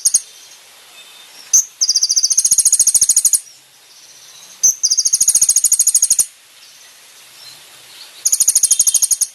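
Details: Kolibri ninja song recorded for training caged birds. Three high, rapid ticking trills of about one and a half seconds each, each starting with a sharp single note and separated by quiet gaps.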